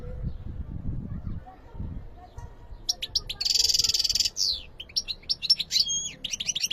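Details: European goldfinch song opening after a quiet low hum, then a dense, harsh buzzy stretch followed by rapid liquid twitters and sliding whistled notes.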